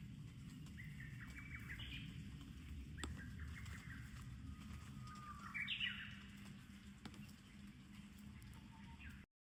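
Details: Japanese bush warbler in summer at Kamakura after rain, giving a brief high flourish, then a long steady whistle that breaks into a quick upward warble, with low background hum and a faint later note.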